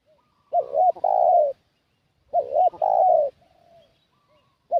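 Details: ['Spotted dove used as a decoy bird to lure wild doves: two loud phrases of short rising double coos, each followed by a long, slightly falling coo, about two seconds apart, then a faint distant coo.']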